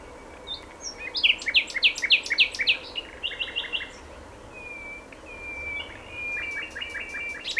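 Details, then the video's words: Common nightingale singing outdoors: a run of loud repeated chirpy notes, then fast trills and long pure whistles, with quieter rattling phrases ending the passage. "Fülemüle éneke /nightingale his song/"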